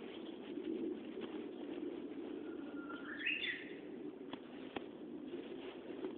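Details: Japanese bush warbler giving a single song phrase: a held low whistle slides upward into a brief, bright twisting flourish. A steady low rumble and a few sharp clicks sound around it.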